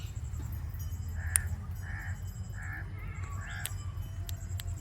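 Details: Indian ringneck parakeet producing natural clicking sounds: loud single clicks near the start and later, alternating with short raspy squawk notes, against a steady low hum.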